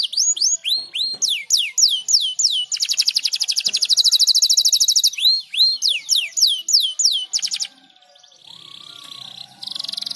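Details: Canary song played to stimulate other birds to sing: fast rolling trills of sharply down-slurred high whistles, then a long buzzy rattling trill, more sweeping trills, and a softer warbled ending.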